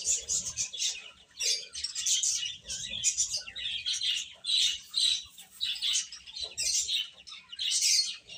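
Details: Chicks feeding and playing together: a crowded stream of shrill peeps, rising and falling in quick bursts about once a second, many birds calling at once.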